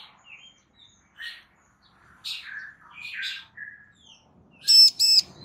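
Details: Female bar-winged prinia calling so a male will reply: scattered high chirps and short descending slurs, then two loud, ringing, buzzy notes close together at the end.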